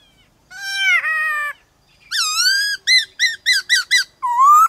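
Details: Rousing varied song of a white-cheeked laughingthrush, meant to excite other birds into singing: a long, buzzy, harmonic-rich note, then a rising whistle, five rapid chirped notes and a final upslurred whistle.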